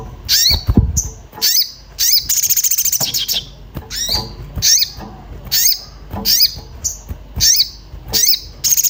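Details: Orange-bellied flowerpecker, agitated and looking for a companion, used as a lure to make birds sing: sharp high chips with a downward-bending tail, given singly or in pairs, plus a rapid buzzy trill near three seconds; low thuds beneath.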